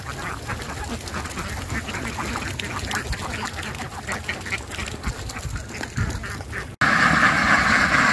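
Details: Ducks give separate, harsh, broadband quacks at an uneven pace over low background rumble. After a cut, a loud dense quacking chorus follows.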